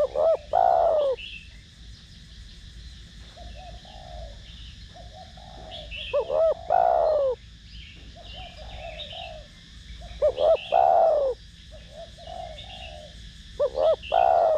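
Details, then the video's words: Spotted dove singing in the 'thổ đồng' style to stimulate other doves. Four loud phrases of quick hooked notes ending in a falling coo, about every three to four seconds, with quieter soft coos and faint chirps between. "Cu gáy Gù,Thúc giọng THỔ ĐỒNG kích mồi tập bổi rất hiệu quả"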